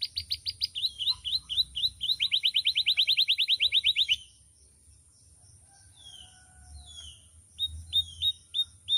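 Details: Canary singing vigorously, its voice loud, varied and melodious: rapid high trills of repeated notes for about four seconds, then softer scattered downslurred whistles and short chips after a pause, with a faint low hum beneath.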